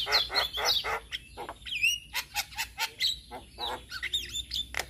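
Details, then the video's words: Male Javan myna singing as a lure to teach other mynas: a jumble of harsh broadband bursts and chattering notes with short whistled upsweeps, delivered in uneven rapid pulses. "Ocehan Jalak Kebo Jantan Cocok Untuk Pancingan Segala Jenis Burung Jalak Belajar Bunyi"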